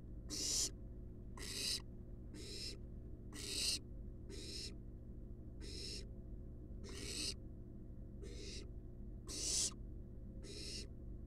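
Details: Wild barn owl nestlings resting in a monitored nest box give repeated broadband hissing screeches, about ten bursts roughly one second apart, over a steady low hum.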